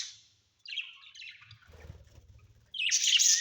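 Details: Pet budgies at home give a brief high chirp, then a scratchy warbled phrase. A low rumbling murmur follows, and the clip ends with a loud, harsh burst of chattering.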